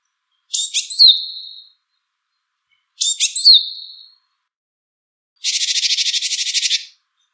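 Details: Japanese tit in the wild giving two high calls of clipped notes trailing into a thin fading whistle, followed by a harsh buzzy churring rattle of rapid pulses lasting over a second.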